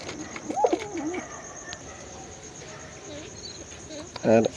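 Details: Pigeons in a small breeding-colony loft: a short wavering coo early on, then a louder throaty rolling coo near the end, over a steady high insect-like hum and faint background noise.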